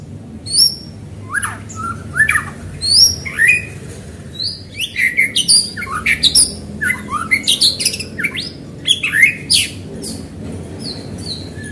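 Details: White-rumped shama in full song to stir other shamas into singing: loud varied phrases of clear whistles, sharp upslurred notes and buzzy high bursts, delivered in quick clusters with short gaps, over a low steady hum.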